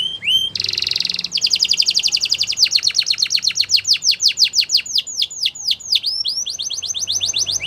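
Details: Canary singing a training song: an opening slurred whistle, a dense buzzy trill, then a long run of rapid descending sweeps repeated several times a second, shifting to quicker rising notes near the end.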